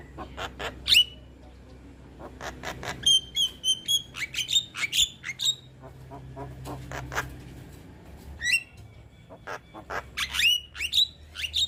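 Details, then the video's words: Young Javan myna singing energetically as a tutor recording for other mynas to imitate: a varied mix of clear whistles, rapid chattering clicks and harsh rasping notes in uneven bursts, with a faint low hum beneath. "Masteran Burung Jalak Kebo Muda Gacor Manggut - Manggut Jalak Kebo Lain Pasti Cepat Niru"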